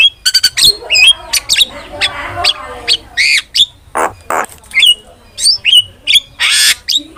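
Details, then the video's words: ['Starling lure and master song used to train caged birds, mixing sharp chirps, whistled notes with down-slurred tails and harsh broadband squawks in quick irregular bursts.'] "PANCINGAN DAN MASTERAN BURUNG JALAK"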